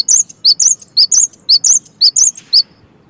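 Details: Sharp, high-pitched chirps from a cinereous tit, delivered in quick alternating pairs for over two seconds in gacor fashion, then stopping, with only quiet hum afterward.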